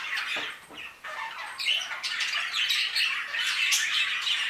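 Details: Budgerigars in an aviary give a few scattered chirps over the first second and a half. They then swell into busy, continuous warbling and squawky chatter from many birds at once.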